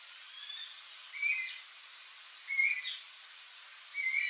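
Yellow-headed Caracara giving three harsh, hissing screeches, each about half a second long, spaced roughly one and a half seconds apart, over a faint steady hiss.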